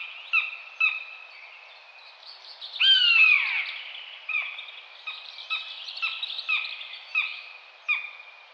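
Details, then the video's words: Common buzzard (Buteo buteo) calling: one drawn-out, downslurred mewing whistle stands out near the middle, surrounded by many short repeated clipped notes and a busy chorus of other high calls. "Canto da águia-de-asa-redonda/bútio-comum (Buteo buteo)"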